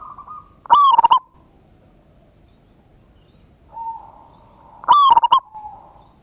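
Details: Local zebra dove lure song in 'ngayer kerot nutut' style, played to make other doves respond: two loud, stuttering coo phrases roughly four seconds apart, separated by a faint drawn-out coo from another dove.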